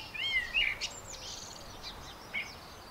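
A blackbird sings a short fluty, sliding whistled phrase that ends in a thin, squeaky high twitter, followed by a brief high note. Faint background hiss.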